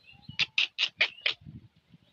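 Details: Pet talking parrot, said to talk like a human, gives five loud, evenly spaced, harsh bright syllables in quick succession, with low murmuring sounds before and after.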